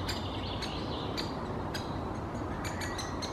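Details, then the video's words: A great spotted woodpecker nestling in its nest hole in Helsinki, Finland, in June 2021, gives short, harsh, high chirps about every half second, coming faster toward the end, over a steady low rumble. "Great Spotted Woodpecker nestling in the nest hole, vocalizing"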